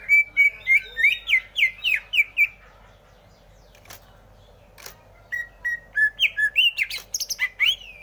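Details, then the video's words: Greater green leafbird delivering quick strings of looping, slurred whistles, each note briefly rising and falling, a pause with a couple of sharp clicks, then another varied run of higher chirps. "Suara Burung Cucak Hijau"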